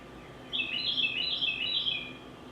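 Carolina Wren giving a quick, loud series of bright, ringing notes, about six paired phrases in a second and a half, like a car alarm; faint background hiss.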